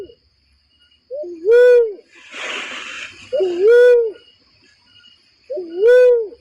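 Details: Barred cuckoo-dove lure call for trapping: three rounded whoops with short lower lead-ins, about two seconds apart, a breathy hissing noise filling one gap between calls.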